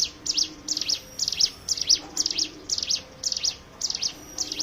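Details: Hill prinia song used as a lure to make other birds sing: high, thin twittering phrases repeated about twice a second, each a quick down-up flick, in a steady chattering series.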